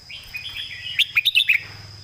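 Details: Brief loud phrase from a red-whiskered bulbul in the southern master song style: a smooth whistled lead-in, then five quick, sharp, bright notes in rapid succession.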